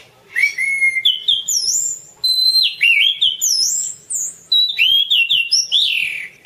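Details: Orange-banded thrush singing for a masteran: sweet, sliding whistles and rising slurs in phrases about a second long, separated by brief silences, some notes very high and thin.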